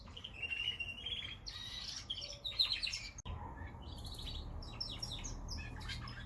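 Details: Canary singing a steady whistled note that breaks into fast buzzy trills, then after a click continues with rising chirps and quick high notes over a low hum.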